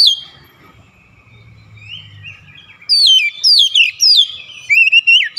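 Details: Oriental magpie-robin pressing on through its learned repertoire: a soft, quiet opening with faint low hum, then a run of loud, crisp descending whistles and twittering notes.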